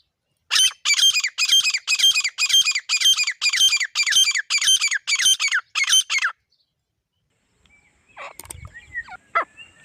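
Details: Grey francolin male and female pair calling: a loud series of about twelve harsh, high, ringing notes, evenly repeated roughly twice a second for six seconds, then a pause before faint rustling and scattered softer sounds.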